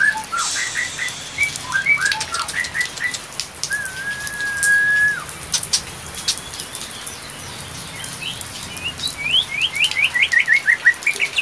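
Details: White-rumped shama mating call, used to bring a female into breeding condition: bright whistled notes and quick upslurred chips, one long level whistle held about a second, then a fast rising series of notes, over a steady hiss like rain.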